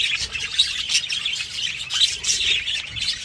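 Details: Loud, unbroken chattering from many budgerigars together, a dense tangle of high squeaky chirps and warbling notes rising and falling in waves.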